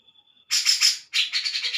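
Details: Grey-cheeked bulbul, probably a kept bird, giving loud harsh chattering bursts, a faint thin whistle before, then two rapid rasping phrases.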